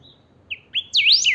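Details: Kept Saffron finch (chiviro) singing 'pica' style to rouse other chiviros: a thin opening note, short buzzy whistles, then a loud continuous warbling sweep of high slurred notes rising and falling.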